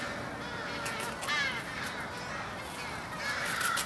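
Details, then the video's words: American crows at an evening pre-roost aggregation in Charleston, Coles County, Illinois, USA, on 16 January 2015: a dense chorus of harsh overlapping caws from many birds, with brief clicking noises. "American crow pre-roosting aggregation"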